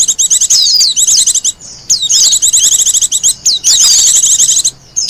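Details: Wild Japanese white-eye singing, a recording suited to luring birds and tutoring captive singers: rapid, high, twittering phrases in dense bursts of about a second, broken by short silent gaps.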